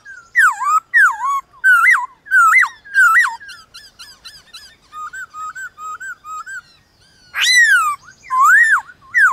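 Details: Morning song duel between a white-cheeked laughingthrush and wild laughingthrushes: strong looping whistled notes in quick series, then softer repeated short whistles, and a loud descending slurred phrase near the end.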